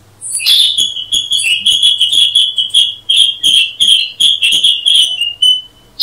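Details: Black-headed bulbul (Brachypodius atriceps) with an almost continuous ringing high note, broken by rapid sharp chirps throughout; quiet otherwise.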